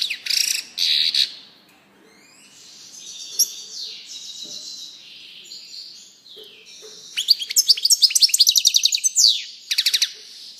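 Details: European goldfinch song mixing short loud chirps, softer drawn-out buzzy and warbled tones, and finally a fast, loud run of repeated tinkling notes.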